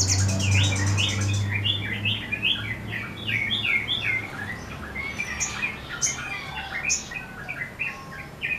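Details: A sunbird singing vigorously while spreading its wings pours out a fast run of sharp, high chirps and twittering notes, about two or three a second, over a low hum at the start.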